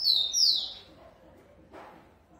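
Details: Rufous-collared sparrow bred in captivity gives the tail of a high, bright whistled phrase with falling slurred notes, then silence broken by one dull knock.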